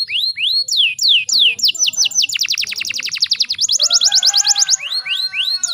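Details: Breeding female canary whose sound is used to provoke male canaries to sing; slurred falling whistles, then a fast rhythmic trill of sharp high notes, ending with rising whistled slurs.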